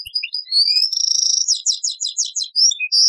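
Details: European goldfinch singing in the taqsrayn style, copied from an old cassette: thin separate whistles, a grating buzzy passage, then fast bouncing twitters and rising slurred notes.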